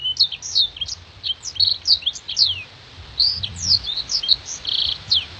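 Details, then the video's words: Blackthroat recorded as a master for competition songbirds, its vocal called clear and crystalline: loud, high, sharp notes, many sliding downward, delivered in quick, varied phrases with brief gaps. "MASTERAN BLACKTHROAT GACOR NEMBAK PANJANG DAN TAJAM VOKAL JERNIH DAN KRISTAL"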